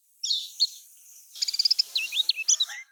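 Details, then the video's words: Kecial kuning, the lemon-bellied white-eye, singing its Lombok-style song as a prompt for caged birds. Two brief high chirps give way to a quick burst of clipped, piping notes and downward slurs against a light hiss. "Ini Yang Di Pakai Kicaumania Untuk Kecial Kuning Males Berkicau"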